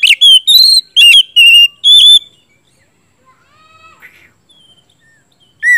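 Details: Oriental magpie-robin used as a lure to get other magpie-robins singing, giving loud, rich whistled phrases in a quick burst of five, then quieter softer notes and a final sharp whistle.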